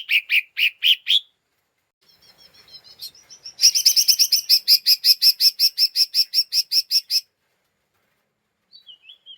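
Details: Agitated lesser green leafbird's ngeriwik chatter, used as a lure to provoke other birds: a few loud chirps, a soft twittering pause, then a fast, high, even run of about fifteen sharp notes and faint chirps at the end.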